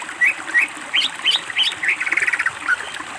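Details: Greater green leafbird song used as a master recording for training birds: a quick series of short, bright, rising chirped notes, then a fast rattling trill and a final lower note, against a quiet background.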